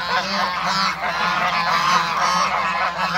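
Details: Backyard flock of Toulouse and African geese, bred together to make a hybrid, giving a steady wall of raspy honks with no gaps between callers.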